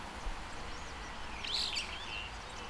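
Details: Brown-eared bulbul (Hypsipetes amaurotis), heard from a window through a homemade parabolic microphone: a single brief, harsh, sharply bending shriek midway, set against faint softer notes and a constant low hum.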